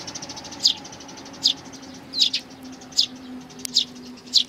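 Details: Sparrows, among them a partly bald bird with a nestling, on 8 May 2019: six piercing high chirps spaced at slightly uneven intervals under a second apart, over a faint constant low hum.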